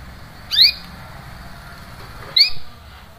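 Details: Two sharp rising chirps from a canary, spaced about two seconds apart, heard against soft steady hiss; these 'cuit cuit' calls serve to encourage a silent canary to resume singing.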